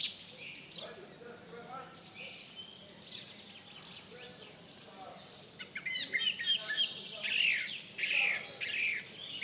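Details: Song Thrush song built from bright, high phrases, with one complex figure delivered and then repeated almost exactly a second later before the bird moves on to new, scratchier notes, against faint background hiss.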